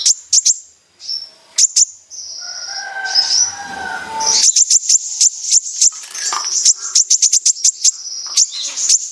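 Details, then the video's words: Lure recording of an actively singing kolibri ninja sunbird in 'besetan' style: scattered sharp high ticks, a pause filled with softer lower twittering, then dense bursts of rapid piercing ticks over a continuous thin trill. "Pancingan burung Kolibri ninja gacor | full besetan"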